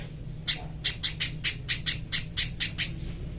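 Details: Clear master song of a little spiderhunter for training: after a short silence, a rapid string of about eleven harsh, high chips, spaced evenly near four per second, then a soft trailing note.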